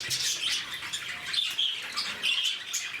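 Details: Captive lovebirds at Bannerghatta Zoo, Bangalore, a noisy, active flock: dense, shrill squawking chatter with overlapping high, harsh notes rising and falling in bursts throughout.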